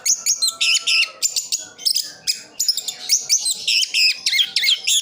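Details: Orange-headed thrush kept as an easy-care songbird in Sidoarjo, East Java, delivering fast bursts of repeated sharp chirping notes at about three per second, mixing high ringing syllables with lower twangy ones, over a faint background hum.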